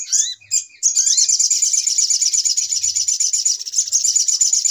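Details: Brown-throated sunbird, lure call for trapping, noisy type: a few rising slurred notes, then a long unbroken run of very high, rapid, buzzy chatter.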